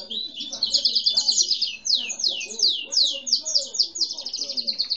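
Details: Grey-and-white domestic canary, no defined breed, singing while a seedeater sang nearby; a dense, loud run of rapid sweeping high trills and chirps, phrases changing every second or so without pause.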